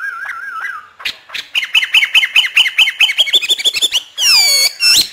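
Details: Trained hwamei of a northern Vietnamese keeper in free-singing practice: a brief wavering human whistle, then rapid repeated clear notes about four per second, ending in harsh rich buzzy bursts.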